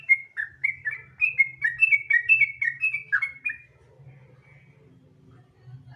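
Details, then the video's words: Sooty-headed bulbul singing a fast gacor ropel burst, used as a lure for other bulbuls: about three and a half seconds of rapid, rolling whistled notes that then stop, leaving near silence and a low murmur. "Pancingan Trucukan Gacor Ropel Santai Sangat Ampuh Bikin Trucukan Lain Cepat Bunyi Gacor Ropel"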